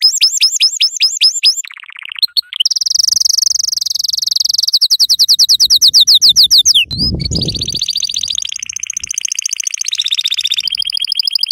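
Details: A yellow canary sings as a model for young canaries, chaining looping whistled chirps, a steady high buzzing roll, accelerating trills and a dense warbled section, with a brief low thump midway.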